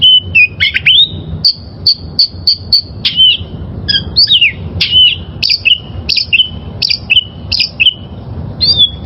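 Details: Wild oriental magpie-robin singing steadily as a training song for caged birds: a varied sequence of crisp whistled notes, each a sharp attack sliding down into a short level tone, repeated roughly every half second.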